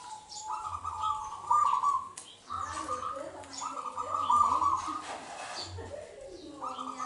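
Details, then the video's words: Wild local zebra dove from Indonesia singing, used to lure other doves: long trilled coo phrases with a rolling middle, overlapped by faint sliding whistles from other birds and low hum. "Suara Pikat Perkutut LOKAL Super Gacor sangat COCOk Buat Pancingan Perkutut Lain"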